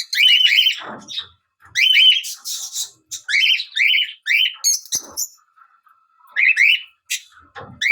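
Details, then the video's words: A Fischer's lovebird gives shrill, scratchy, high chirps in quick bursts of several notes, with short pauses between runs and a faint steady tone in one gap. "Lovebird Chirping Sounds"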